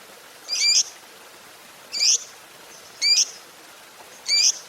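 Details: Fighter-type lovebird uttering four short, thin, high-pitched squeaks at intervals of a little over a second, each quick and slightly rising, with quiet between.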